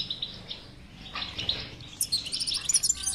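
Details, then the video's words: European goldfinch song played to stimulate a silent caged goldfinch to sing; bright twittering phrases with tinkling high notes, denser and higher toward the end. "اذا لديك مشكله في حسونك انو لا يغرد لا تخاف هذه البتبته الحل وعلاج الحسون الصامت"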